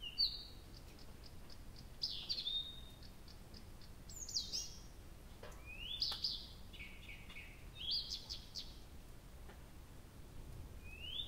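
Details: Nightingale in night song at Abramtsevo, early June, recording begun 23:00 on 6 June 2021: varied high whistles, upward sweeps and short ticking notes in separate phrases, with brief pauses between them and faint background noise.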